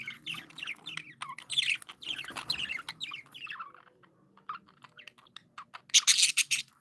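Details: Happy pet budgies keep up lively warbling chatter, rapid twittering notes and soft buzzes tumbling together, ending with a loud harsh burst of squawky chirps near the close.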